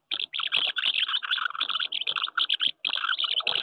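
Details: Common house martins at their nests on a wooden house in May, courtship underway with squabbles over nests; continuous dense twittering chatter of dry chirps, almost without pause.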